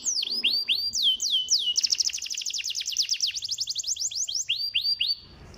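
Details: Canary song that stimulates lazy canaries to sing, opening with spaced falling whistles, building into a fast dense trill of short slurred notes, then slower swooping notes before fading out.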